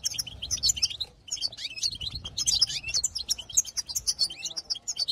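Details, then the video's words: Goldfinch singing to stir up other goldfinches, recorded in 2022. A rapid, liquid twitter of bright high chirps and trills runs on, with one short pause after about a second. "بتبتات حسون جديده للتهيج نار"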